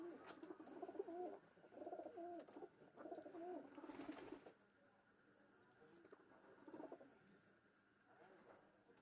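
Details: Pigeon cooing at a Mujibnagar house where two pigeons were set free: three or four short, burbling coo phrases in the first half, each about a second long, then a brief rustle and quieter background with faint high ticking.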